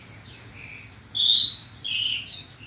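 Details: Bushlark singing a training recording meant to make caged birds sing: thin, high whistled notes, then a loud rising slurred whistle and a short buzzy phrase, over faint low background hum.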